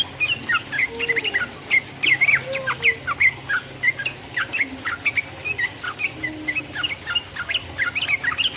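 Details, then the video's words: Sooty-headed bulbul in lively rapid 'ropel uplik uplik' song, played to provoke rival birds: dense run of short chirpy, slurred notes, rising and falling, tumbling almost continuously, with a faint low hum beneath. "trucuk gacor ropel uplik uplik merangsang lawan"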